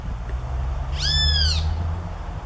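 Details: A single loud, harsh, arched call from a great kiskadee, rising then falling with rich overtones, about half a second long, set against a constant low-pitched hum.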